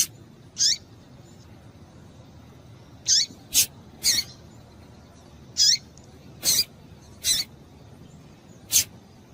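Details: Female double-collared seedeater giving calls meant to stimulate males to sing: eight short, high, thin chips at irregular intervals, sometimes in quick pairs, against faint background hiss.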